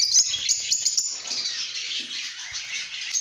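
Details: Lovebirds chirping and singing in a happy, good mood: a dense, continuous wash of high, shrill chatter with sharp repeated chirps throughout.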